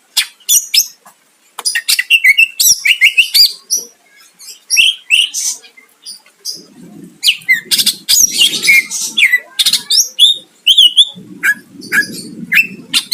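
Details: Long, busy greater green leafbird song meant to provoke a rival, packed with chattering, sharp chips and whistled slurs, with a low rustling noise in the background during the second half.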